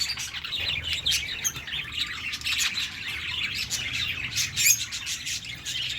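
A dense chorus of many small birds, with high, quick chirps and twitters overlapping continuously, and a faint low rumble underneath.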